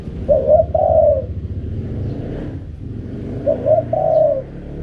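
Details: Spotted dove cooing in the wild style called 'karam pa': two low, hoarse coo phrases, each a short double note followed by a longer drawn-out rolling coo, over a steady low rumble like distant traffic.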